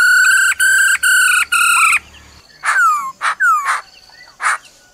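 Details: Four level, rich "ro ro" notes from a female laughingthrush stirring up a male, then loud downslurred whistles and sharp calls.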